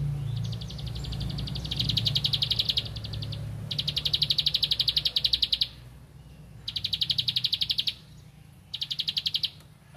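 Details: Bar-winged prinia singing in rice fields, looking for a rival: four separate bursts of fast, evenly spaced high clicking notes, each lasting one to two seconds, over a low background hum.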